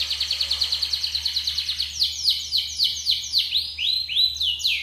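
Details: Yellow canary song intended to stimulate other birds to sing: fast repeated chirped notes giving way to slower, bold descending swoops roughly every half second, bright and whistled, with a quiet background hum.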